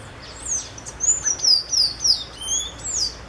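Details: Creamy-bellied thrush calling out in nature: a quick run of thin, high whistled slurs, some falling and some rising, about seven notes packed into three seconds over a quiet background.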